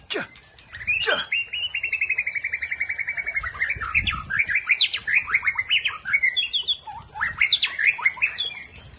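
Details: Aceh white-rumped shama in rough trill style: a sharp opening note, then a long rapid rattling trill slowly falling in pitch, followed by loud varied chopped phrases jumping between high and lower notes.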